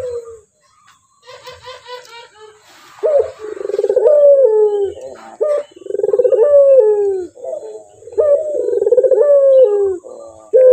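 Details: Clear-voiced male Barbary dove (puter) cooing: a short opening coo, a stutter of quick notes, then three long rolling low coos of about two seconds each, separated by short gaps.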